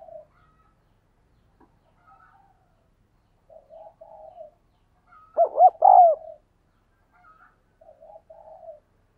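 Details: Spotted dove giving 'thúc gù' cooing, used to train decoy doves and prompt wild doves to coo. Soft low murmured coos scattered throughout, with one loud three-part phrase midway: two short bending notes and a longer falling coo.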